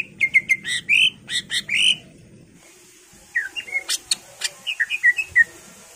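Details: Greater green leafbird song played as a lure to make other birds sing emotionally: rapid repeated chip-and-whistle phrases, a pause, then a jumble of down-slurred whistles and sharp ticks.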